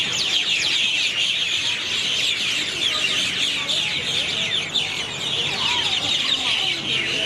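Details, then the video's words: Night chorus of birds gathered in a single tree in Airlie Beach, Australia, 2024, unusually loud; countless high chattering chirps and squeaks overlap into a steady, unbroken din throughout. "Birds chirping loudly at AIrlie Beach at night"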